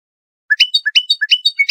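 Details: Trained Iranian Lor-type European goldfinch song used for tutoring juvenile songbirds: a bright, liquid twitter, with a low chirp and a higher ringing note paired roughly three times a second. No other sounds.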